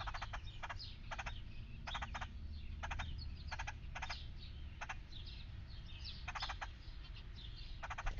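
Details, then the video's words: Red-headed woodpecker at a backyard feeder it has visited daily for three months, one of a pair: short harsh rasping bursts, often doubled or tripled, about a dozen in eight seconds, over thin high chirps of other birds and a low steady rumble. "Talkative Red headed woodpecker"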